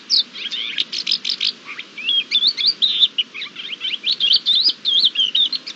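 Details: Thekla's lark strutting in courtship display, recorded 28 March 2022: a continuous run of rapid, varied notes, first quick repeated chirps, then fluid sweeping and trilled warbled phrases, bright and high, over a quiet background.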